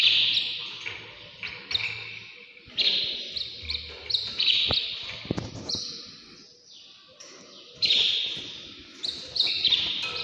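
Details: Early-morning canary song in quick bursts of bright, high chirps and short rolling trills, separated by brief pauses, with a few soft thumps in the background.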